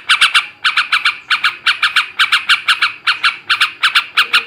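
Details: Ngebrem ngekek garuda song of a male trucukan (yellow-vented bulbul), used to stir breeding arousal: dense, scratchy chattering notes grouped in rapid triplets and pairs, continuous and loud.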